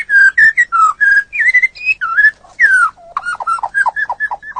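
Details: Rich, fluty whistles from a white-rumped shama on a masteran training recording: sweet, slurred phrases, some rising and some dropping, followed by a quicker series of short downward whistles.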